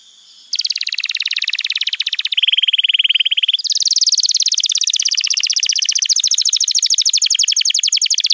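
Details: Master song of a canary, played to teach young canaries: long, very rapid rolling trills in three blocks, the pitch dropping for the middle block and rising again, with no pauses.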